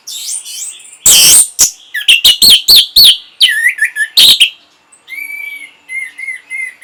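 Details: Orange-headed thrush song for stimulating breeding and a response: a loud harsh burst, then rhythmic whistled notes dipping and rising, followed by quieter sustained thin whistles repeated in short pieces.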